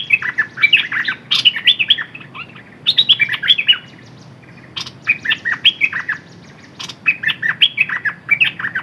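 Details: Red-whiskered bulbul used as a decoy bird, pouring out lively, chattering whistles in three bursts with brief silent gaps, notes rising and dropping quickly, a few dry clicks in between.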